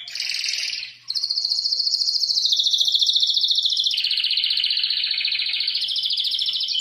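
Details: A canary sings continuous rapid rolling tours that shift between slightly higher and lower pitched buzzy trills after a brief opening pause.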